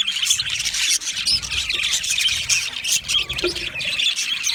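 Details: Budgerigar singing meant to comfort lonely budgies; a thick, unbroken stream of squawky, buzzy chatter and high chirps from several birds.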